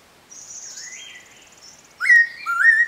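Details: Spotted laughingthrush at Eaglenest Wildlife Sanctuary giving a sharp call: clear whistled notes, a thin high tone then lower sliding whistles, ending in two loud rising whistled phrases.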